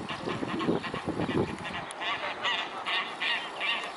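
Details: Mute swans (Cygnus olor) on 21 May 2015 at 12:14: rough, nasal honking bursts crowd the first second and a half, then give way to short, thin, higher squeaky notes repeated roughly every half second.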